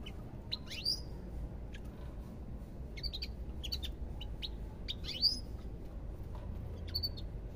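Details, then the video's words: European goldfinch singing: scattered short, bright chirps and rising tweets, spaced irregularly over several seconds, above a steady low rumble of background noise. "ربع ساعة من تغريد طائر الحسون"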